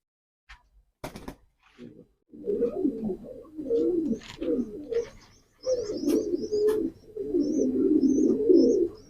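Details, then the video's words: A pigeon gives deep, rolling, bubbling coos in long bursts with short pauses. Faint high chirps from small birds sound in the background, and a few sharp knocks come early on. "pigeon call and sound effect,কবুতরের ডাক।"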